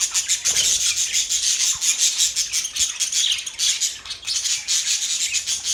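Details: A group of budgerigars keeps up a continuous, busy twittering of high chirps and rasping notes with almost no pauses.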